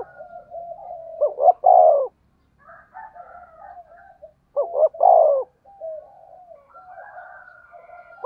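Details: Decoy spotted dove in the deep thunder-like voice style, calling to excite other doves. Two strong phrases about three seconds apart, each two quick hoots and a long falling coo, amid soft quieter cooing.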